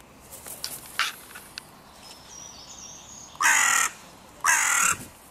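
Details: Crows contesting the meeting point of three breeding pairs' territories at the König-Albert-Park music pavilion. Soft chirps and faint noises precede two loud, grating caws about a second apart near the end.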